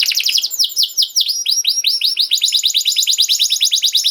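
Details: Canary song for teaching young canaries: dense runs of quick falling whistled notes, flowing into a rapid, evenly repeated chattering trill, high-pitched and continuous.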